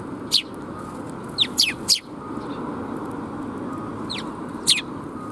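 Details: A group of sparrows arriving to be fed at a bridge in Japan, 26 June 2021, giving scattered sharp descending chirps, a few paired, over steady low background noise.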